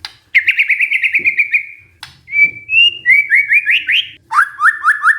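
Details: Lure song (pancingan) of a white-rumped shama, meant to rouse stressed birds into singing again: a rapid descending trill, a pause, then a pure whistle and bright series of upslurred notes repeated in quick runs.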